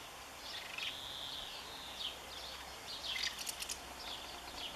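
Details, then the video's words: A common house martin holding and defending its nest, even against its partner, on 20 May 2015, gives scattered dry, high chirrups and short twittering bursts, mostly near the middle and end, against a steady background hiss. "Mehlschwalbe verteidigt Nest - Who is Boss? swallow twitters"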